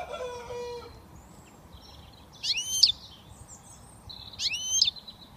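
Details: British European goldfinch, young and just starting to whistle: a short lower squeaky sound at first, then two bright swept notes about two seconds apart among faint twitters.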